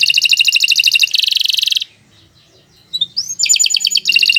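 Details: Canary training song for other birds: long fast trills, a short silent pause, then a rising whistle and renewed rapid trilling.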